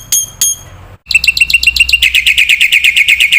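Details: Young cage-bird masteran recording of a Black-winged myna: two high clear whistles, a pause, then a quickening stream of loud, harsh repeated notes about four per second.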